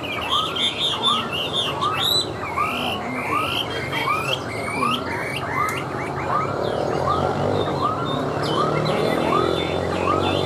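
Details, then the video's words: Tame Chinese hwamei kept in a cage, singing while placed on a table: regular rising whistled arcs with bright higher slurred notes early on. Background noise grows louder toward the end. "Họa Mi Hót"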